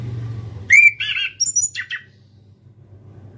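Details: Learning to sing, a young orange-headed thrush gives one pure whistled note followed by rougher, harsher chattering notes. The phrase lasts under two seconds over a quiet low hum.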